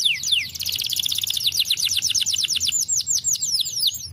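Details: Canary singing to stimulate other canaries: a couple of downslurred whistles, then a long rapid trill of sharp descending notes, slowing into separate slurred chirps near the end.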